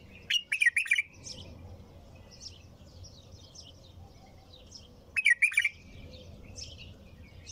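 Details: Bulbul singing two brisk warbled phrases about five seconds apart, each a jumble of liquid, rolling notes, with soft scattered twitters in the gaps.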